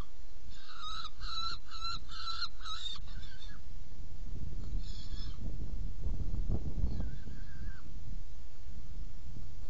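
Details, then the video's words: Saker falcon at a nest box during feeding, 17 June 2018 at 10:31; a rapid series of harsh, nasal, evenly spaced calls for about two seconds, then a few scattered calls over a steady low rumble. "Kerecsen fészekdoboz 2018.06.17. 10:31 etetés"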